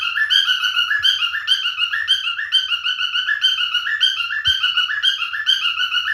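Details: Domestic male cockatiel singing a fast, bright warbling song of repeated whistled phrases, with faint low thumps and a couple of soft knocks in the background.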